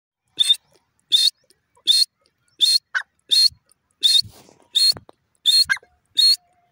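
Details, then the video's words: Francolin (teetar) calling: loud, harsh, broadband notes with a bright whistled core, repeated about every 0.7 seconds in a steady rhythm, with small faint clicks between notes. "pheasant teeter bird awaaz"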